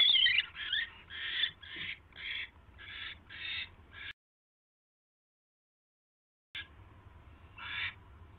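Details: Owl at 10:21 PM, January 28, 2016, with a mouse: nine quick raspy screeches, then complete silence for over two seconds, followed by a few more harsh bursts.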